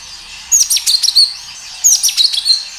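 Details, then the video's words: Kinoi in loud, lively song, natural sound used as a lure to get other kinoi singing: two bursts of high, sharp twittering chirps and short slurred whistles, each about a second long and separated by a brief pause. "Suara kinoi gacor"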